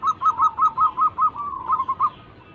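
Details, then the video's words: Local zebra dove (perkutut) used as a lure to set other birds singing: a run of about eight short, regular cooing notes near one pitch, then a slightly smoother trailing phrase. "Pancingan burung perkutut lokal gacor pintar merayu cepat bunyi"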